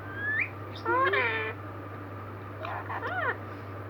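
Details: A 15-year-old green parrot gives two short bursts of nasal, speech-like talking: a rising squeak, a drawn-out word, then a wavering phrase, over a steady low hum.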